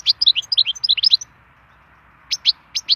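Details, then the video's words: Wild European goldfinch in melodious song, opening with a dense, rapid twitter of high chirping notes that stops after about a second. After a quiet gap come two pairs of bright clipped notes. "chant chardonneret sauvage"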